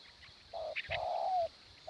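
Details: Single spotted dove phrase during morning decoy trapping: a short low coo, then a longer smooth note that falls at the end. A high insect hiss and a brief chirp are audible behind it.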